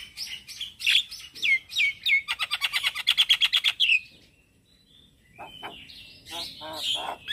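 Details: Morning song of a male Javan myna, kept as lure and tutor song for starlings: squeaky downslurred whistles, then a fast even rattle of clipped notes. A short pause follows, then scratchy buzzy phrases.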